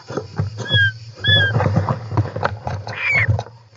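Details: European roller inside its nest, July 18, 2024, from an interior nest camera: slurred, falling whistled calls with a harmonic above, repeated at intervals amid low rumbling thumps and scuffling from movement in the nest.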